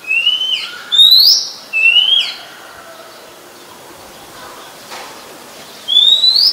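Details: Singing Oriental magpie-robin, a common resident of Ubon Ratchathani, Thailand, July 2021; a quick run of three varied whistled phrases, some rising and some falling, then a pause before a fourth rising whistle.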